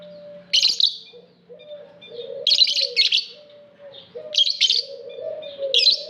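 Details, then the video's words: Lovebird kept in an aviary, calling in clusters of two or three sharp, scratchy chirps every second or so over a steady low droning hum in the background. "Lovebird Singing Call & Chirping Sounds v2"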